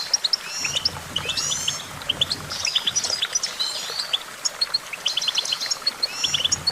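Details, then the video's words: Goldfinch pouring out a fast, tinkling song: clipped bright chirps in twos and threes, a couple of sweeping buzzy trills early on, and brisk repeated notes toward the end, over light rumble. "Vocal virtuoso: activating enhancing your goldfinch songbird prowess"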